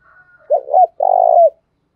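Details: Spotted dove used as a decoy to provoke wild doves: a faint drawn-out whistle, then a two-note throaty coo and a long rolling croo falling away at the close.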